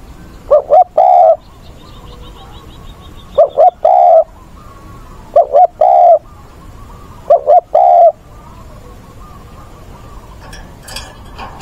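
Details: Spotted dove working as a decoy for training wild-caught birds, voice style giọng bổi ức chế, dated 20/8: four short phrases about every two and a half seconds, each two quick clipped notes and a fuller coo, against soft faint chirping.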